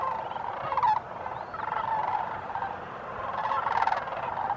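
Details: Group of sandhill cranes at a New Mexico wildlife refuge in December gives steady overlapping rolling rattles, louder bursts near the start and end, with occasional thin higher notes.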